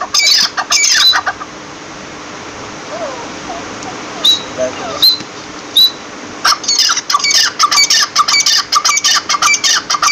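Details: Harsh partridge squawks open the recording. A quieter stretch follows with a few thin whistles, then loud rapid rasping calls return and carry on to the end.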